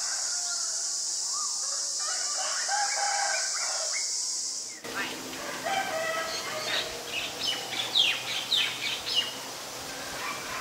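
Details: Common myna in Ubon Ratchathani, Thailand, recorded on 20 March 2022: loud insect drone gives way to a burst of harsh, varied chattering notes and squawks, rapidly repeated with uneven rhythm.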